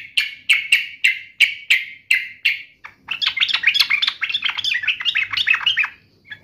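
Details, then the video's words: Yellow-vented bulbul taunting a rival: eight evenly spaced bright notes with falling tails, then a continuous run of fast, bubbling, chattering warbles. "trucukan gacor MENGEJEK LAWAN"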